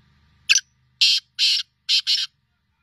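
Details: Sindhi black francolin calling: a sharp click, then three loud harsh grating bursts, the last one doubled, in a short phrase with a quiet background.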